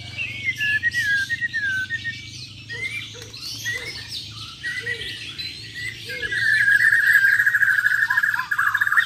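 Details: Bornean white-rumped shama, a champion bird in a contest with besetan and tembakan styles, gives slurred whistles and soft low notes, then a long buzzy sustained trill that grows louder near the end over a low hum.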